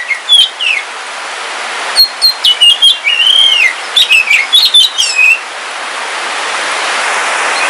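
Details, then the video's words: Caged oriental magpie-robin, black Kalimantan form, singing while it rains: rapid run of clear sliding whistles and chirps, one rising-falling whistle mid-phrase, then only steady rain noise. "Suara Kicauan Ketika Hujan - KACER WULUNG KALIMANTAN"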